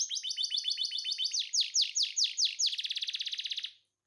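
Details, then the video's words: Singing canary in breeding condition: a run of rapid high trills, then slower, louder downslurred notes, ending in a very fast buzzy rattle that fades out. "Burung Kenari Berahi Gacor"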